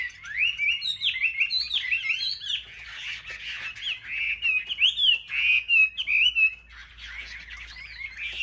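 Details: Caged Chinese hwamei singing in competition among selected market birds in Vietnam, pouring out rising and falling whistled phrases with rapid slurs and clipped notes, pausing briefly midway, other birds faintly heard.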